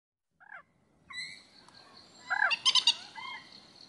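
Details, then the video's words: A common moorhen gives a brief down-slurred note, then a nasal, ringing call, then a quick burst of harsh, clicking notes over a low background hum. "MOORHEN SOUND"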